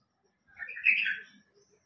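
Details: Bulbul song: a single short warbled phrase of about a second, bright and slurred with rapid rising and falling notes, in otherwise quiet surroundings.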